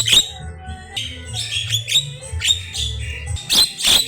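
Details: Javan myna in full song, rich varied phrases: sharp high chirps and short whistled notes in quick bursts, with brief pauses between, over a constant low droning hum.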